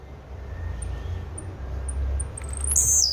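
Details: Blue-black grassquit giving spaced, very high ticking notes that speed up into a sharp buzzy burst at the very end, over strong low-pitched background hum.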